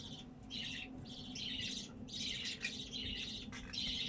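Budgerigars chatter in a busy flock, with bright warbling chirps and squawks overlapping continuously.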